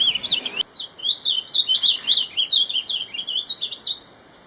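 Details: An Ultramarine Grosbeak in Brazil sings a run of sweet, high warbled notes, rising and falling phrases strung together for about four seconds.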